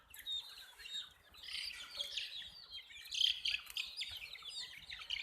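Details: Hen's chicks keep up a continuous, busy twittering of thin, high peeps, overlapping and swelling in loudness midway, with some clearer single whistled notes rising above the flock.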